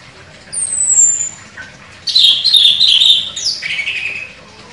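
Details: Contest champion chestnut-capped thrush singing sharply. A thin high whistle glides downward, a short low note follows, then a loud scratchy warbling phrase ends in a falling slur.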